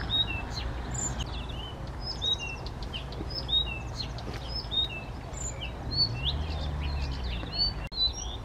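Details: Male Blyth's reed warbler singing unprompted near Bukovský pond, Těchařovice, Czech Republic, 19 June 2014, where a marsh warbler repeatedly tried to chase it off: denser run of varied whistles, chirps and slurred notes, low hum underneath.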